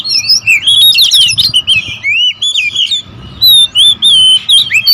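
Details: Several oriental magpie-robins (kacer) in a noisy territorial exchange: fast jumbled whistles and chattering notes, then clear sliding whistled phrases separated by short silences, loud and repeated.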